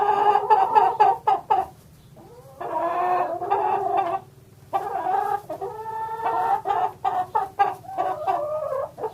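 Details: Chickens clucking and cackling with drawn-out harmonic calls mixed among rapid clucks, loud and fairly continuous with brief gaps.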